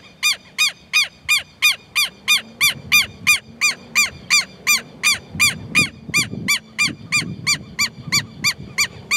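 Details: Southern lapwing calling in a long, regular run of loud, ringing, scratchy notes, roughly three each second, while a low rumbling noise rises underneath from the middle onward.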